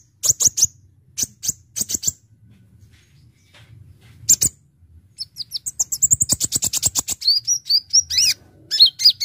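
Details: Brown-throated sunbird, a fast 'gacor full isian' song played to lure birds: groups of sharp high ticks, a long rapid rattling trill, then clear whistled notes dipping and rising.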